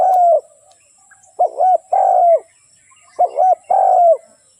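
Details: Lure spotted dove for catching wild doves coos in two clear phrases, each a hooked double note leading into a longer, slightly falling coo, after an earlier trailing coo.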